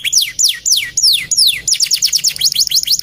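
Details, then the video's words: Male canary, gacor, singing a series of loud steeply falling whistles, then quicker paired downslurred notes in rapid rhythm. "BURUNG KENARI JANTAN GACOR"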